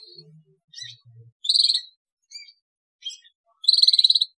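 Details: Energetic singing canary, recorded to lure other canaries into song: two loud, fast buzzy trills of rapidly repeated high notes, separated by scattered soft chips and short pauses.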